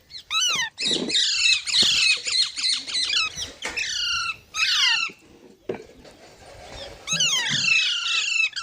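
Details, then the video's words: Baby parrots squawk almost continuously in harsh, rapidly repeated, descending calls, one overlapping another, with a brief lull before a final loud burst. "Baby Parrots Sounds"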